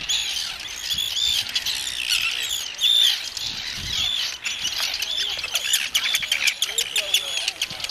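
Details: Breeding colony of Arctic Terns on Inner Farne, Northumberland, UK, 6 June 2013, while visitors take photographs; dense, rasping, squealing calls pour out nonstop from many birds, some sharp downslurred notes standing out, a few wingbeats and faint voices beneath.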